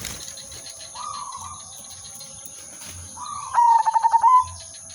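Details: Zebra dove, called perkutut or merbok, silver udanmas type, utters soft drawn-out coos, then one loud phrase of quick stuttering pulses closing on a held hoot, with a constant thin high whine.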